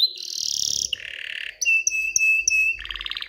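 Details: Aroused canary in song meant to push females toward mating and nest building, moving through a harsh high buzzing roll, a lower rattling tour, a long pure sustained whistle with clicks, then a quick rolling trill.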